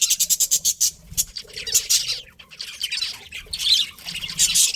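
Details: A rapid series of evenly spaced sharp chirps opens, followed by looser, scratchy budgie chatter and squawks.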